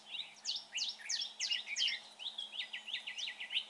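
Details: Red-whiskered bulbul singing during trapping: loud, sharply slurred chirps rising and falling, followed by a softer string of quick repeated notes, roughly three each second.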